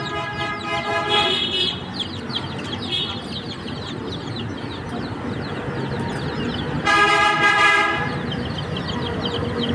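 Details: A busy chorus of chicken chicks gives high, falling chirps throughout; two louder, harsher, buzzy calls with layered tones stand out early and again late, over steady low noise.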